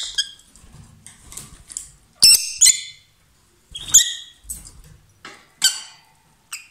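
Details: A loud lovebird couple gives abrupt high squeaks and chirps at irregular intervals, roughly every second, some harsh and buzzy, others thin and piercing, with soft rustling between.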